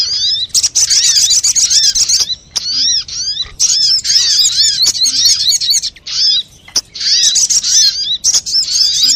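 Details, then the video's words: Crimson sunbird (sogok ontong) lure recording, used to make sunbirds sing and draw them to birdlime: dense, busy bursts of high, sharp chirps and rapid twittering trills, broken by short pauses. "SUARA PIKAT BURUNG SOGOK ONTONG RIBUT AMPUH BIKIN SOGON NEMPEL PULUT"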